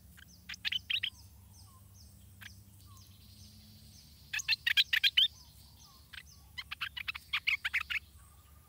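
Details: Stripe-throated bulbul chick being fed by its parents: bursts of short, high, sharp chirps in quick clusters, one group around the second mark, a dense run near five seconds and another from six and a half seconds, over faint low hum.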